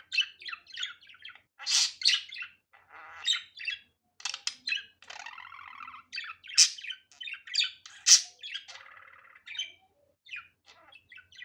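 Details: Budgerigar warble made of quick high chirps and squeaks strung together, broken by a longer grating buzzy stretch and several loud sharp notes.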